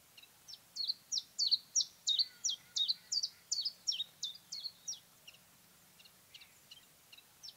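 Common Chiffchaff song: a steady run of high, clear two-note 'chiff-chaff' phrases, about three notes a second, fading into quieter distant notes.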